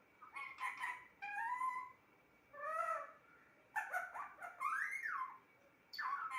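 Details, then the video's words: Indoor talking parrot giving drawn-out harmonic vocal phrases, some steady and some swooping. Busy chattering syllables with rising and falling slides follow, separated by short silences. "Talking parrot"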